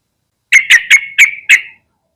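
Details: A Yellow-vented Bulbul (Pycnonotus goiavier) gives five quick, bright chirping notes in just over a second, the last note slurred and trailing.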